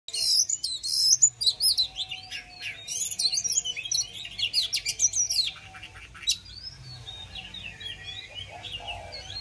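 An Oriental magpie-robin sings a rich, varied run of sweet whistles, quick chirps and rising notes for about six seconds, then softer phrases fade out.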